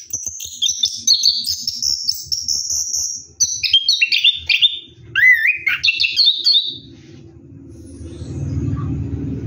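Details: Orange-headed thrush singing in the ngeroll style while bathing at night: a fast run of varied high whistles and chattering trills for about seven seconds, then quiet with low rumbling noise.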